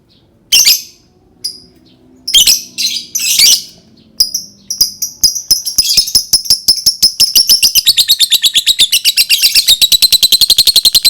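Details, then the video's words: Lovebird sound used to prompt other lovebirds into singing: a few loud, harsh bursts, then a long, fast run of rapid high clicking chirps that speeds up and merges into a continuous trill. "Suara burung lovebird cocok banget untuk pancing lovebird berbunyi"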